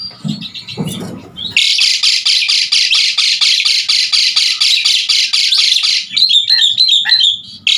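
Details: Asian pied starling singing vigorously, a song used to teach other songbirds: a few short opening notes, then a long fast buzzy rattle of repeated harsh notes lasting over four seconds, ending in twisting whistled warbles.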